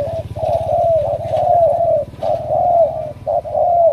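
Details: Spotted dove selected as a strong cooer, a wild-caught bird headed for Hải Dương, Vietnam, giving long, loud, nearly continuous coos that slide downward, broken by brief clipped notes, over a low hum.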